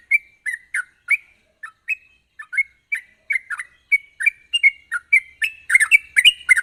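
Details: Sooty-headed bulbul in lively song meant to prompt other bulbuls to sing: spaced, liquid slurred notes that quicken and grow denser into a rapid chattering flourish at the end.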